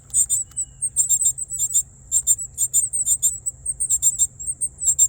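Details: Several baby Northern cardinals chirping from their nest in a tree in a North Carolina yard, hungry, caught on a raised cellphone: sharp, very high-pitched chip clusters repeated rapidly and unevenly, with a faint low hum.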